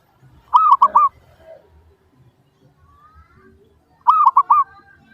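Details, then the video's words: Perkutut (zebra dove) lure song for provoking answers from other doves: a phrase of three to four rounded, bubbling coos, a quiet gap of about three seconds, then a matching phrase. "PANCINGAN Burung Perkutut Suara Paling Ampuh!"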